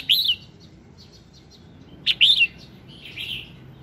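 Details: Bulbul song to prompt singing, from a red-whiskered bulbul in the morning: a loud, rolling warbled phrase, faint scattered chips, then a second sharp, liquid phrase and a softer closing warble.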